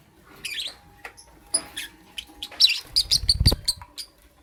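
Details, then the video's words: Morning lovebird giving sparse high chirps, then a rapid series of sharp repeated squeaks, about three per second, accompanied by low thumping sounds. "Amazing Lovebird - Beautiful Colors - Chirping Sounds"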